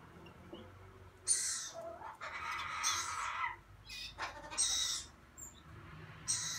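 A Gouldian finch gives soft, hissing, buzzy bursts, several in a row over a few seconds, with a fainter rustle between them.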